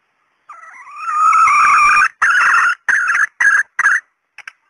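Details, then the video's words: Female red junglefowl calling to lure males: a long strained note rising in loudness, then four shorter harsh syllables in quick series and a faint final double click. "SUARA PEMIKAT TERBAIK AYAM HUTAN BETINA"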